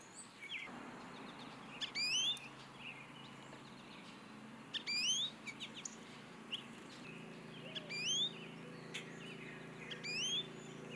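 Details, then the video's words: American goldfinch singing from an Eastern Redbud tree: high, thin rising twittered phrases and chirps recurring every few seconds over a steady low hum and background noise. "HD American Goldfinch singing"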